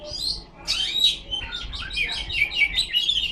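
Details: Kacer (Oriental magpie-robin) in ngipas style: after a short opening phrase, a continuous warbling stream of rising and falling whistles and chirps, with a soft low rumble in the background.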